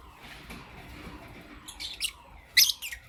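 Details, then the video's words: Lovebird chirping in the morning, a pet parrot: after a quiet start, a few sharp, high squeaky chirps, the loudest a harsh shrill burst near the end, over faint room hum. "Lovebirds Chirping Sounds"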